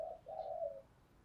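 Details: Spotted dove used as a decoy for luring, giving a soft, faint low coo in two connected parts, a brief note then a longer steady hum, over faint background hiss.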